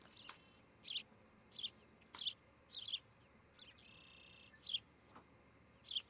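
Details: High clipped chirps from an osprey at a nest near Charlo, Montana, in July 2018, repeated irregularly roughly every half second to second. They come with a short buzzy drone, sharp clicks and soft ticking in between.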